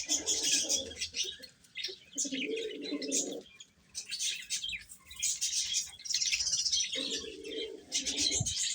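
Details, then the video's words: Eating chicks chirping in a dense high chorus of peeps, interrupted by three stretches of lower, buzzy purring calls lasting about a second each. "Cute Chicks Chirping Sounds | Little Baby Chicken Eating"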